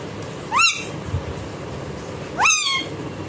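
An Indian ringneck parakeet gives two rising, meow-like mews about two seconds apart, imitating a cat, over a soft hiss of background noise.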